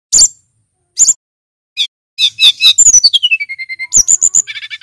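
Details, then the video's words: Male brown-chested jungle flycatcher singing loud and clear, kept for training other birds. Separate high chips open, then a quick rattle of notes slides into a long descending whistled glide, ending in rapid bright chirps. "Burung SRDC Jantan GACOR"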